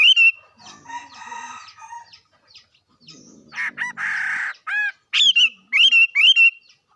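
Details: Bird vocalizing: a mix of harsh, rattling, buzzy phrases followed by a string of clear whistled notes that rise and then fall sharply, repeated about every half second near the end.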